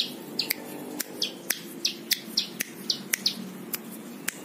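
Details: Plain prinia in song used as master tutor for other songbirds: short high chirps, each sliding downward, given roughly every half second over a quiet background with sharp clicks.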